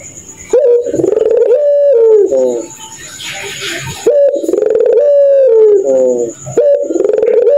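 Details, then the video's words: Barbary dove of the pelung type cooing at night in a laughing style compared to a kuntilanak. Long rich coos alternate with stepped, stuttering notes and brief quieter gaps, repeated twice. "Burung Puter Tertawa Kuntilanak Jahat di Malam hari"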